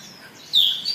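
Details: An excited, agitated Oriental magpie-robin giving a sudden, loud, high whistled phrase: a slurred falling note, then a brighter rising one, after half a second of faint hiss.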